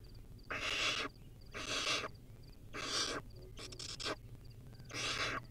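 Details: Barn owl chick in the wild, feeding on a rodent, producing a steady run of harsh breathy screeches roughly once a second, interspersed with faint high ticking chirps.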